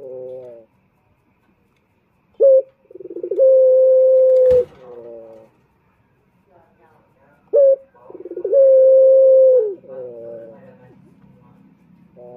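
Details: Male turtle dove (puter) from Indonesia, cooing as a lure for other males: a pulsed stutter rising into a long steady low hooting note, repeated twice with silent gaps and a single sharp click between.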